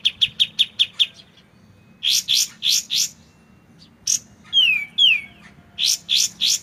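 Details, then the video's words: White-shouldered triller song made clear for training other songbirds: a run of six quick high chips, a pause, then four buzzy rasping notes, later two loud descending slurred whistles and more buzzy notes, over a faint trickle of water. "MASTERAN kapas tembak suara jernih dengan jeda terapi gemercik air"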